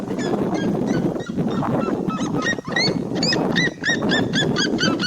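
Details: Seriema song: a fast string of loud, barking yelps that speeds up and grows more regular toward the end. Steady low noise sits beneath the calls.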